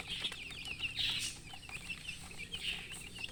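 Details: Chickens chirping: a string of short, high, rising peeps, several overlapping in quick bursts, with a faint low hum beneath.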